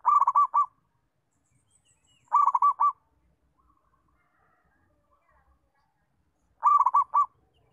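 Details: Zebra dove, a local perkutut, sings as a training model for other doves: three rhythmic cooing phrases, the first two about two seconds apart and the third after a four-second pause, each a rapid burst of mellow notes.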